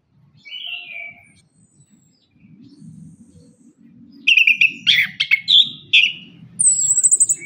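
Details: Orange-headed thrush song played to stir caged birds gone quiet after moult; a soft opening whistle, then loud choppy warbled phrases over low background rumble, finished by a high rapid trill.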